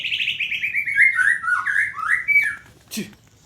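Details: Morning sunning session of a white-rumped shama: a flowing series of clear whistled notes stepping downward, then brighter upswept whistles, ending with a sharp click; steady low noise underneath.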